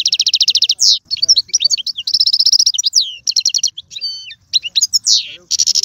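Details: Caged Algerian European goldfinch performing galoubi, serfati and tiouatie song styles: sustained fast trills of high repeated notes alternating with slurred whistles, twangy double notes and chatter, almost without pause.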